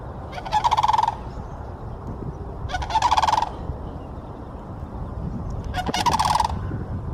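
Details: Sandhill cranes in Florida give loud rolling, rattling bugles in three bursts about every three seconds, over a low background rumble.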